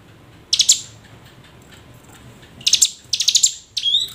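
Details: Hill prinia calling to prompt silent birds to sing: a brief buzzy burst, a pause, then two rattling trilled bursts and a final upslurred whistle.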